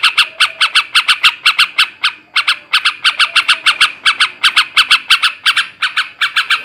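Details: Male sooty-headed bulbul, song in the ngekek garuda style to rouse breeding drive: harsh, clipped notes repeated nearly three per second in uneven bursts, with a short break near the two-second mark.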